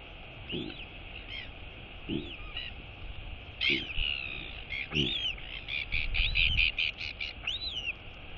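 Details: Royal albatross chick, a female, wheeing as her mother arrives, greets her and feeds her, 23 August 2022; a rapid run of high arched and chattering whee notes with low thumping sounds beneath and steady wind.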